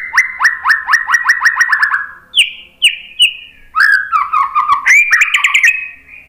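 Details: White-rumped shama song meant to make other birds answer: a rapid train of sharp repeated whistled notes, then longer high whistles and varied warbling phrases.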